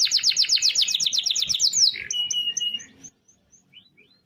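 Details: Canary ending a long rolling phrase, sung as a training model for other birds: rapid high chopped trill, then a level whistle with sparse clipped notes fading into quiet.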